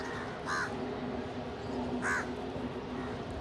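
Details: Crow at a shared feeding spot with other crows and a pigeon: two loud, harsh, nasal caws about one and a half seconds apart over a steady low hum.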